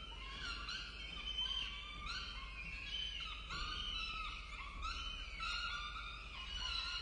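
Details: At their nest on a campus in Orange, Australia, peregrine falcon chicks cry for food during a feeding, 23 October 2023; rasping, drawn-out wails rise and fall in quick succession, several voices overlapping.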